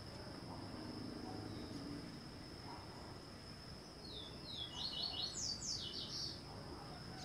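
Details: While feeding on a larva, a yellow-eared woodpecker utters a rapid run of high, sharp, falling notes that swell in loudness midway, preceded by quiet background hiss and low rumble.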